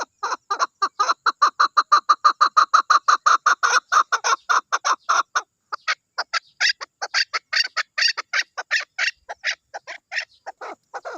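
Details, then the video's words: Chukar partridge giving a fast run of harsh, clucking chuck notes, about three a second, then breaking into looser, more varied chukar phrases. "Chukar | Natural Sound Effects"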